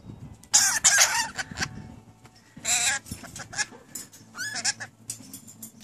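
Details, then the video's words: Newly kept rainbow lorikeets talking: loud raspy bursts of speech-like syllables in separate phrases, with warbled, pitch-sliding notes and quieter murmuring in between. "My Rainbow Lorikeets talking like crazy"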